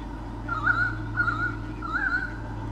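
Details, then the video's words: White-bellied sea eagle parents at a camera-watched nest in Sydney Olympic Park, Australia, defend territory against swooping currawongs; three honking calls roughly every three quarters of a second, with constant background hum. "WBSE 2013 - Defending their territory!"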